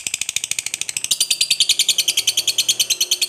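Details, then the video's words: Lovebird long trilled song used to prompt other lovebirds to sing: rapid harsh chattering notes, about three per second, high and buzzy, steady throughout with a slight step up in pitch after one second. "Pancingan Suara Lovebird Ngekek Panjang Paling di SUKAI"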